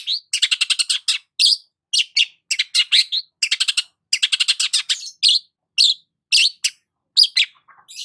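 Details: Sunbathing long-tailed shrike at dawn hours, delivering loud, scratchy rattling trills broken by single bright whistled chirps, in irregular fast bursts throughout.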